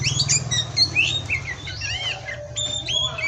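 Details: Kacer, the Oriental magpie-robin, giving pastol-style masteran song: quick bright whistled notes, rising and falling slurs and trills packed closely together over a faint low hum.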